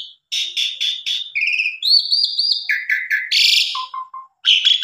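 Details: Asian pied starling song used as a lure to make other birds sing their full repertoire: buzzy stuttered notes, then a run of clear whistled phrases, harsh chattering bursts and low repeated notes, with no background noise.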